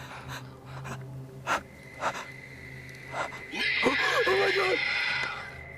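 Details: A harsh, two-second hissing screech from an unseen creature at night near a house, after indistinct human voices; presented as a mystery creature, but viewers suggest it is likely a barn owl.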